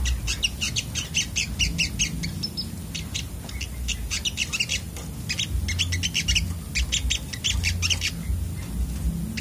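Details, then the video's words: Sunbird (sogok otong) in an excited, fast outburst: rapid, dense run of high, thin, sharp ticking and buzzy notes, several per second, continuing throughout over a low background rumble. "burung sogok otong terapi ngamuk"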